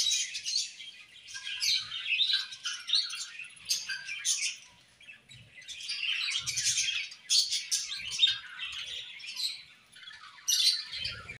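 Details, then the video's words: Budgies singing and chirping at play, an ongoing high, buzzy warble of fast overlapping chirps and twitters that ebbs and swells, with occasional soft low knocks. "Budgies Singing and Chirping"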